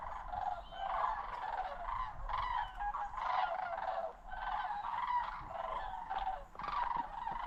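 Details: Sandhill cranes on autumn migration over Osoyoos in British Columbia's South Okanagan, Canada, a stopover on their September–October route. Several birds give rolling, trumpeting rattles that overlap in bursts, with brief pauses between rounds.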